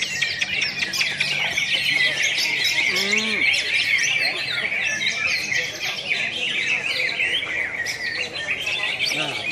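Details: ['Greater green leafbirds in a class A singing competition, national Road to Presiden Cup IV event, Pontianak, West Kalimantan, 3 April 2016: dense overlapping high chirps, trills and whistled phrases from several caged birds, with a brief low voice.']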